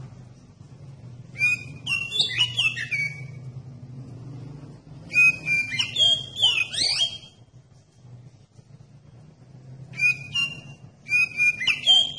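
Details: A lure song from an oriental magpie-robin, played to prompt other magpie-robins to answer: clear whistles, rapid chirps and swooping notes in three lively bursts separated by gaps of a few seconds, over a low background hum.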